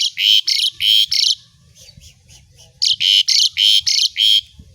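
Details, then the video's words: Asian pied starling, recorded as training sound for other songbirds, giving harsh buzzy rasping notes in tight series, about five per second, two bursts separated by a quiet gap. "JALAK SUREN GACOR DOR ISIAN"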